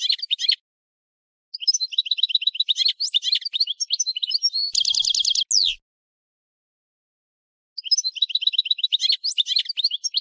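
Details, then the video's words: European goldfinch in full song: lively, tinkling twitters broken by a short harsh, buzzy rattle, a pause of about two seconds, then the bright chattering phrases resume. "Chant du Chardonneret"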